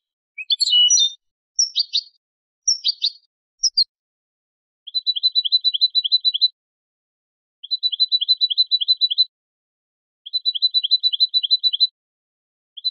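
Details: Song of a European goldfinch hybrid, played for teaching young birds: a few scratchy mixed phrases, then three long runs of rapid, evenly repeated high ticking notes, each lasting over a second, with short pauses between.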